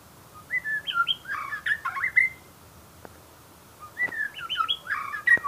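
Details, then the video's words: White-rumped shama song in two bursts of rich, varied whistled phrases that rise and fall, mixed with short chips, separated by a brief silence. "Murai batu macam batu"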